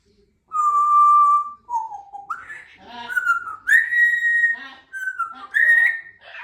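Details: Pet female Congo African grey parrot, two years old, whistling a stepped melody of held notes that drop, climb and rise again, practicing a birthday tune indoors, with faint human voice traces between notes.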